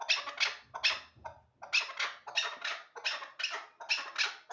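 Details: Hybrid hunting partridges give a run of rasping, chattering calls in quick bursts. A soft low rumble is heard near the start, and the calls pause briefly before resuming in a steady rhythm.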